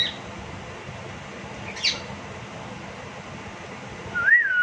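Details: A male cockatiel throws a tantrum for attention, jealous because the female is with the owner: a brief sharp chirp, then a rising-and-falling whistled note.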